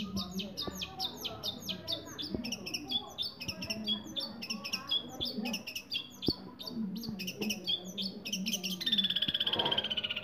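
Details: Caged six-month-old long-tailed shrike singing a dense, fast stream of chattering and whistled notes, ending in a drawn-out buzzy note, over a low steady hum.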